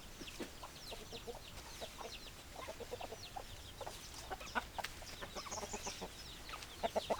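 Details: Chickens clucking: many short overlapping clucks and small chirps from several birds over a constant noisy background.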